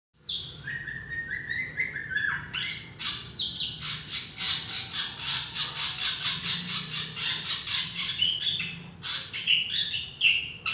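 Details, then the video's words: Drongo in Indonesia, a loud, varied run of harsh rasping and squealing notes mixed with short whistled phrases, delivered in rapid repeated bursts of about two per second, with a low rumble of background noise. "burung srigunting Indonesia"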